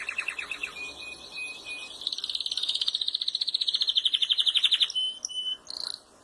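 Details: Canaries of different colours singing: a varied song of clear whistled notes, then a long fast rattling trill, ending with short piping notes over a faint steady background hiss.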